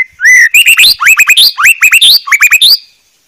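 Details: Rapid, lively phrases from a white-rumped shama on a tutor recording. Upswept whistles are grouped in quick bursts of three or four, with loud, full-bodied notes.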